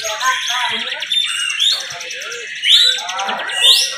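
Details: Competing bar-winged prinias in continuous 'bren' singing: fast high chattering trills with rising swept notes near the second and third seconds, a faint murmur of people beneath.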